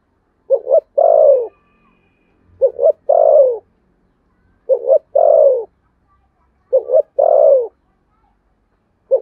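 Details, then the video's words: Spotted dove giving contest cooing in the Sấm Thổ voice style: low phrases of two short hooting notes and a long, drawn, falling coo, repeated about every two seconds, three phrases plus the start of a fourth, in a quiet setting. "tiếng cu gáy thổ sấm/ chim cu gáy gù đấu và thúc bài bản giọng Sấm Thổ"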